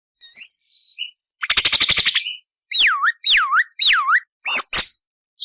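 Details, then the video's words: Javan myna singing in full voice: a varied string of notes, a short buzzy rattle, then three looping whistles that swoop down and back up, and a final sharp chirp. "JALAK KEBO GACOR DURASI PANJANG TANPA BANYAK JEDA"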